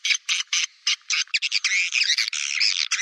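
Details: Swiftlet lure call played to attract birds: loud, buzzy high chirps in short bursts, spaced at first, then running into a dense continuous chattering stream of scratchy twitters.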